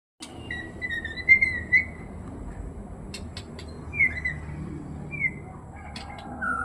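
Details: White-rumped shama singing clear whistled phrases spaced about a second apart, some sliding downward, mixed with sharp clicking notes and a faint low hum.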